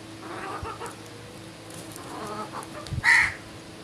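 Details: A morning crow lets out one sharp, raspy caw near the end, preceded by soft murmuring background sound.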